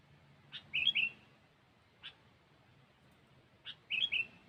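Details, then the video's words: Sooty-headed bulbul (kutilang) in a lure recording with the cengkeram song style: short bubbly, warbled phrases around mid-high pitch, each led by a sharp note, heard twice about three seconds apart over a faint low hum. "Suara Burung Kutilang"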